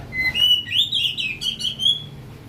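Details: Oriental magpie-robin, kept as a hobby songbird: a clear, high, whistled phrase that slides up, then breaks into quick warbling twists, over a low background hum.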